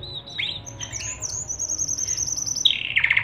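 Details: Panda canary tutor song for young canaries, faint here: thin high whistled notes in a steady series, then a lower repeated trill at the end over background hiss.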